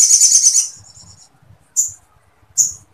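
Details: Sooty-headed bulbul singing woodpecker-like material meant for training other birds: a short, buzzy, high trill, then two isolated sharp chips. A faint low rumble is heard behind them.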